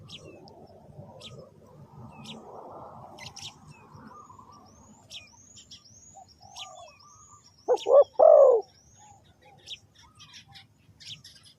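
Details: Spotted dove used as a lure for trapping: a brief, loud pair of deep coos near the end, while small birds chirp high, thin, quick notes throughout and a soft rustling runs through the first half.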